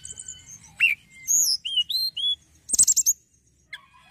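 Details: Energetic hill prinia song: high looping whistled notes, a couple of rising slurs, then a rapid burst of bright chirps, with faint low background rumble.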